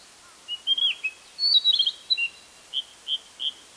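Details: Hokkaido, 6 July 2014: a male Narcissus flycatcher sings a slurred whistle and a dense twittering burst, followed by four evenly spaced clear whistled notes.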